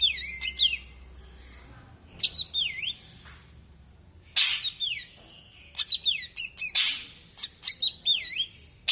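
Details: Male ashy drongo giving loud, looping whistled notes that swoop down and up, clustered in short phrases with brief pauses, interspersed with sharp broadband rustling or clattering bursts.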